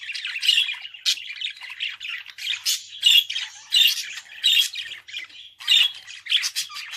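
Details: Budgerigar kept as a pet chatters almost continuously, a busy mix of scratchy squawks, clicks and buzzy chirps with barely any pauses.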